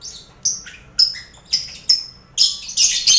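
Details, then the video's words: Crowded aviary of lovebirds mixed with finches and quail, used as contest training sound; sharp, separate high chirps every half second, some sliding downward, merging into denser squeaky chatter at the end. "Sound Koloni Lovebird"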